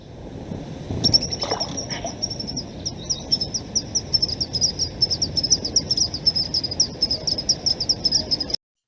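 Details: Malachite kingfishers, probably two, in the Okavango Delta region of Botswana give a rapid series of thin, high, squeaky notes; the early splash is one of them hitting the water.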